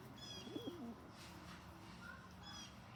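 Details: Rock pigeon picking on other pigeons: a single short, low rising-and-dropping coo, followed by quiet with faint high chirps of other birds.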